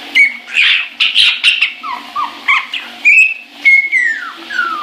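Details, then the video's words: Caique singing in the shower with rough squawks followed by clear whistles that glide downward, steady water noise behind. "Caique Shower Song"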